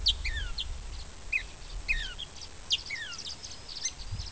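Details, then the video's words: Banded gray catbird working on its song, practicing mimicry of other species: soft, high whistled slurs falling in pitch, repeated in short phrases, over a steady low rumble. "Catbird Practicing"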